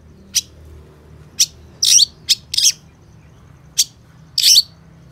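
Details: Long-tailed shrike uttering scattered sharp chirps and a few harsh, raspy bursts, irregularly spaced over about five seconds, with a quiet low hum between.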